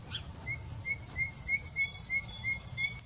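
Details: Common nightingale repeating one phrase about three times a second: each unit pairs a piercing high whistle with a lower, steady tone, given in a tight regular series.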